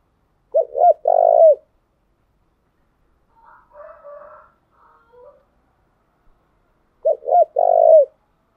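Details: Spotted dove lure song for exciting wild doves and training decoys: a soft three-part cooing phrase of two brief notes and a drawn-out coo, repeated after about six seconds. Faint, fainter cooing sounds fall between the phrases.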